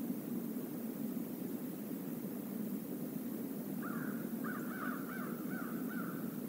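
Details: Flock of crows at the Decorah North eagle nest stream area, 28 November 2021, live camera: a burst of about five rough, repeated caws after a quiet stretch, with constant low rushing sound beneath.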